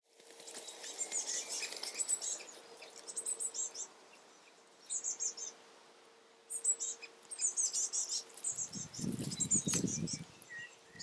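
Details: Juvenile great spotted woodpecker being fed by a female parent after fledging; bursts of high, sharp chattering calls at irregular intervals, with a steady low hum and a brief low rustle near the end.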